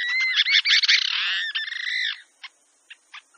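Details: Bronzy jacamar song from Brazil: clear whistled notes with a bright harmonic, breaking into a fast chattering run of rapid notes, then a long falling-ending whistle followed by a few short faint chips.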